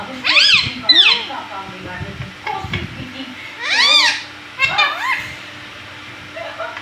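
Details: Pet parrot talking indoors in a small room, imitating the word mummy: high, harmonic arched calls in two bursts near the start and two more later, with a person's voice faintly in between.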